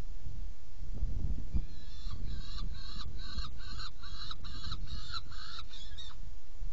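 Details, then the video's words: At a nest box during a feeding on 17 June 2018, 10:31, a saker falcon gives about ten harsh, strained calls in quick succession, roughly three per second, over constant low background hum. "Kerecsen fészekdoboz 2018.06.17. 10:31 etetés"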